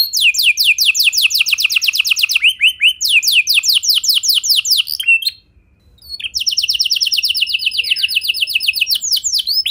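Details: Canary song for prompting other canaries to sing, made of quick downward-slurred notes in shifting series, a short break near the middle, then a fast, even high trill.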